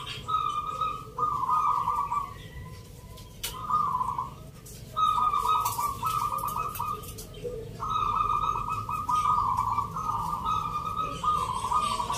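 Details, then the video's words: Local zebra doves at a Mentaraman-style rhythm song contest (Nglagu Ngepat) in Yogyakarta, Indonesia, on Sunday 19 November. Several birds overlap in bubbling, trilled coos. Phrases repeat in bursts of about one second, with faint crowd noise behind. "Pertarungan sengit Perkutut lokal irama 😱Suaranya ngerih"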